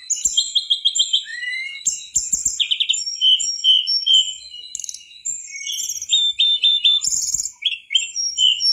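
A mangrove whistler sings a busy, high run of chirps, short trills and clear whistled notes, phrases tumbling over each other with hardly a pause.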